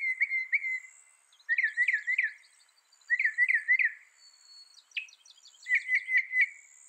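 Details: Northern mockingbird singing: clear whistled phrases near mid pitch, each repeated two or three times in quick bursts, with pauses of about a second between groups and one sharp rising note in the middle.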